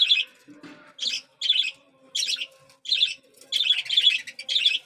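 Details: Young budgerigars begging at feeding time: grating, buzzy squeaks in short separate bursts, growing quicker and running together near the end, with a soft rustle early on.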